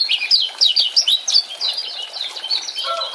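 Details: Lemon-bellied white-eye, a Lombok male, singing fast chattering 'ciak ciak' phrases used as a lure to coax a silent caged bird back into song; rapid high twittering notes tumble in quick succession throughout.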